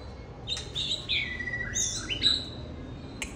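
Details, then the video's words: Male oriental magpie-robin singing and displaying at a home, giving clear whistled notes with slurred, falling glides and a brief sharp chip, over steady low background hum. "Anh chàng trắng đen say xưa múa hát"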